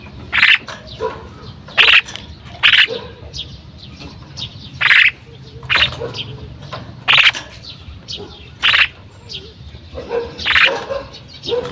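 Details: Female common myna calling with a steady series of rasping, harsh squawks, roughly one every second or two, over low background noise.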